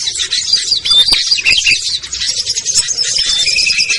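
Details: Small-bird lure sound featuring ciblek, kutilang, trucuk, sogon and perenjak, for birds that will not come down easily; a loud, jumbled burst of shrill twittering and chips, ending with a sustained lower trill.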